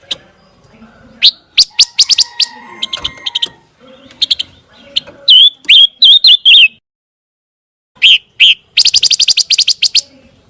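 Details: Scarlet minivet recording used to train white-rumped shamas: clusters of sharp chirps, then a run of loud upslurred whistles. After a brief silence comes a fast, dense burst of high ticking notes.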